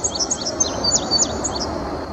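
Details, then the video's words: Male indigo bunting singing from treetops at Sandy Bottom Nature Park, Virginia, in early May 2019: quick, high, sweet notes that slur downward in rapid succession, over a steady low background hiss. "Indigo Bunting singing"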